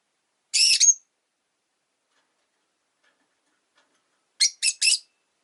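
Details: Rosy-faced lovebirds in a cage beside a window give a harsh double note ending in a rising whistle, then later a quick series of three shrill chirps.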